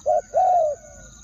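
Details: Spotted dove used as a decoy, crowing to draw in wild doves in the two-word style: one short, low, hooting coo, then a longer, smoothly falling coo. A faint high steady whine runs throughout.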